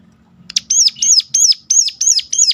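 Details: Sunda warbler call used to spur other birds to sing: after a short click, six loud, high, hooked notes follow each other evenly, roughly three per second.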